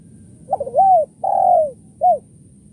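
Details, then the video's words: Spotted dove (tekukur) call used to lure doves, the kuk 1-2 style: a stuttering opening note, a long drawn-out descending coo, then a short final coo, clean with a faint steady high tone. "suara tekukur kuk 1-2 // pikat tekukur"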